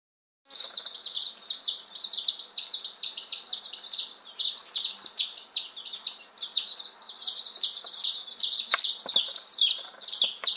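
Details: Fifteen one-day-old chicks, ten Appenzeller Spitzhauben and five White Crested Blue Polish, just delivered on May 19, 2015. Shrill, overlapping downslurred peeps pour out nonstop from the group, with faint rustling beneath.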